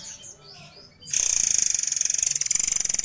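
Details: White-crowned forktail singing its tight, rapid 'gacor nembak' song for use as a training model: after faint background sounds, a piercing high trill of rapid pulses starts and carries on to the end.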